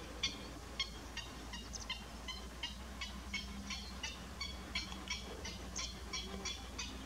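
Little stints giving short, high, clipped 'stit' notes, irregular and overlapping at about three per second, over a low steady rumble.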